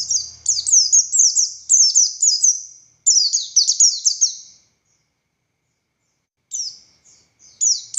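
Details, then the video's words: An Oriental white-eye of the buxtoni type delivering konslet-style tembakan bursts, used as a song tutor. Two rapid phrases of high, sharply falling twitters, each about one and a half seconds, then a silent gap and scattered short notes. "Burung Pleci Buxtoni Gacor Konslet Full Tembakan Ngalas Ngotot Fighter"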